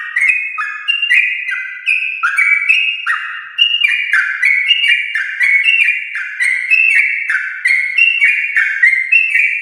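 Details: Prolonged fast song from a champion-line Yellow-vented bulbul, used as a singing prompt for kept bulbuls: repeated bright whistled notes, each falling in pitch, packed closely for nearly ten seconds.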